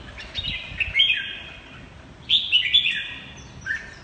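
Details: Red-whiskered bulbul ('mơ hai mí lửa') in 'hót ché' song: two lively phrases about a second and a half apart, each a tumbling series of bright chirpy whistles, ending with a short lower note.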